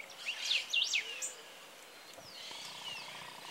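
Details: Greater Yellowlegs (Tringa melanoleuca) at a school reserve in Oro Verde, Entre Ríos, gives a quick run of three ringing, down-slurred whistles, then fainter thin whistled notes over low background hiss.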